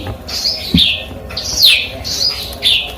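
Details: Eurasian tree sparrow song with learned canary and cigun content: a few loud, high slurred whistles sweeping downward, separated by short pauses, plus one low thump and a soft background hum.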